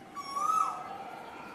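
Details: Singing Asian koel: one loud, clear whistled note that swoops upward and then holds steady, with a faint steady hum underneath.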